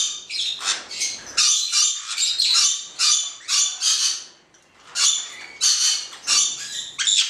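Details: Black-headed parrot pair uttering separate harsh, buzzy squawks, each about half a second, spaced by short silences, with one longer quiet gap midway.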